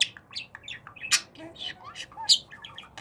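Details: Budgerigar kept as a pet, chattering in training: quick sequence of squeaky, buzzy and whistled syllables with two loud harsh bursts, over a faint indoor hum.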